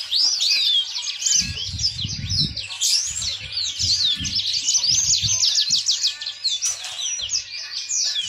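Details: Yellow-fronted canary, a finch not native to Indonesia but kept there for its sweet song, giving an energetic high twittering warble of swooping notes, with low rumbling knocks and bumps partway through.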